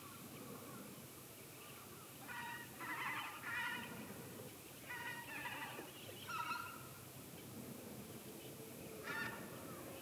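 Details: White-cheeked starlings calling in the morning: harsh, grating, banded squawks in bursts roughly every two to three seconds, with faint background noise.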